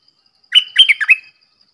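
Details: Red-whiskered bulbul delivering one clear phrase of about five quick, slurred whistled notes, rolling up and down in pitch, with quiet around it.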